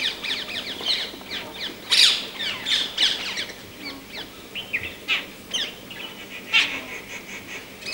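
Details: Gregarious rose-ringed parakeets, also called ring-necked parakeets, in a noisy outdoor chorus of overlapping shrill, downslurred squawks and chirps from several birds, loudest bursts around two and three seconds in.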